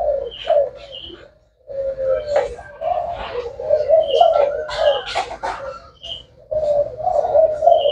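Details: Spotted dove cooing in low, throaty phrases that are broken by a short pause, mixed with broadband rustling noise, brief higher chirps and some speech in the background.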